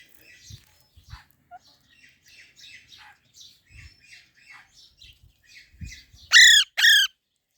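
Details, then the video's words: Baby parrot: soft, scattered high chirps over several seconds, then two loud, harmonic, downward-curving squawks close together near the end. "Baby Parrot Natural Sounds | Parrot Chirping Sounds"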